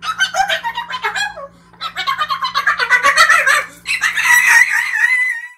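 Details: Pet cockatoo talking indoors, said to be saying hello; rapid chattering, speech-like syllables run together in bursts, ending in a longer loud raspy warble.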